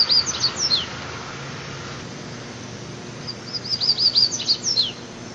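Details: Rusty-collared seedeater delivering mateiro song: a short phrase of high whistles with downward slurs, a pause, then a longer rapid series of bright repeated notes ending in falling sweeps, over soft background noise.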